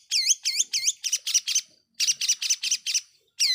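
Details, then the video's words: Long-tailed shrike lure song to provoke other shrikes, rapid rhythmic series of U-shaped whistled notes alternating with harsher buzzy notes, delivered in two bursts separated by a short pause. "Pancingan Cendet Gacor"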